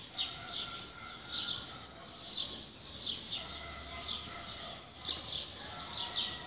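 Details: Several birds singing in the morning, with bright, quick chirps and descending trills repeated every second or so, over a steady background hiss.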